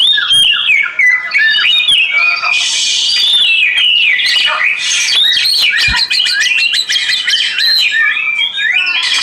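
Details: Oriental magpie-robin singing in a relaxation track: a rich, varied stream of whistles, slurred phrases, harsh buzzy notes and rapid chattering trills, continuous and loud, with a soft wash of background noise.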